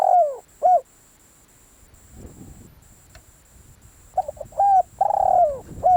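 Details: Spotted dove used for decoy calling: the tail of one coo phrase, faint low rustling, then another phrase of short hoots and a long, falling, buzzy coo.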